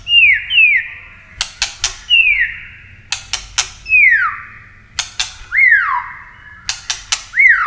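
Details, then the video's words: Clicking White-rumped shama with flicking tail, used to stimulate birds for singing contests: loud downslurred whistles repeated every second or so, each separated by pairs or triplets of sharp dry clicks. "Chòe lửa tạch đập đuôi kích thích lửa lên lửa rất nhanh kích chim hót đấu hiệu quả"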